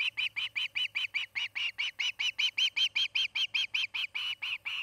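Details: Osprey at its nest in Charlo, Montana, picked up by a nest camera on 8 August 2018 in the afternoon: a loud, fast run of clear whistled chirps, about twenty evenly spaced notes, with a faint low hum underneath.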